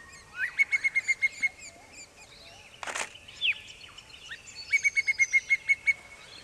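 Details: Pallid cuckoo near Dayboro, south-east Queensland, Australia, October 2007, perched after responding to imitations of its call, gives two quick runs of clear, high whistled notes; a camera-shot knock between them, other birds chirp faintly.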